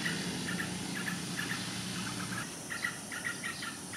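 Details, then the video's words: Yellow-vented bulbul giving quick, bubbly chattering notes in short bursts, about two or three a second, over a low rumbling hum that fades halfway through. "Yellow-vented Bulbul"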